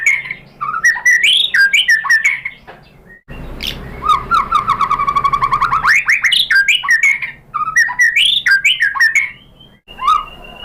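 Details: Murai batu, the white-rumped shama, in an aroused, lively lure song meant to draw replies from other birds: a rich varied stream of whistles, rapid rising note series and sharp clicks, with a brief quiet break near the middle.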